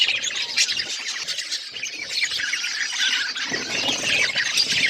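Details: Budgies eating seeds; dense scratchy chirps and squawks from several birds, with a rougher burst of noisy chatter toward the end.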